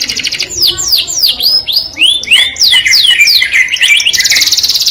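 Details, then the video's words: Canary delivering a melodious courtship song that attracts the opposite sex, made of sweeping high slurred whistles in quick series, ending in a dense buzzy trill. "o som melodioso de um canário atrai o sexo oposto"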